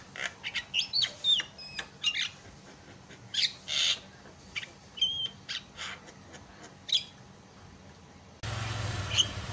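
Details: Lure song of a Javan myna for setting other mynas singing. Choppy bursts of squawks, clicks and thin whistles come at a brisk, uneven pace, then give way to steady hiss near the end.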